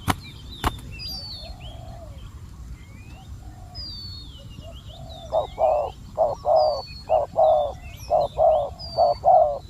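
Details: Spotted dove kept as a decoy to lure fierce wild doves, giving a run of about nine loud, low, hoarse coos in quick, slightly uneven succession. High whistled calls of other birds sound throughout, and a sharp click comes near the start.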